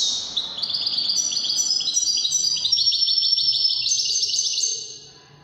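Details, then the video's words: A European goldfinch, called Widani goldfinch, delivers a long, rapid, continuous song of high, chirpy, rolling twitters, gradually rising, ending quietly. "تغريد طائر الحسون الويداني"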